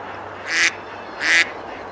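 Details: Ducks on a river at Besalú, Girona, Spain, on a summer day, eating and splashing near a medieval bridge. Two short, harsh, nasal quacks about three-quarters of a second apart over faint water background.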